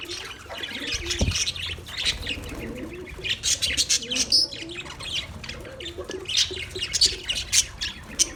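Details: A budgerigar colony keeps up constant high twittering and scratchy squawks, with a brief thump of wings or movement near the start and softer warbling notes underneath.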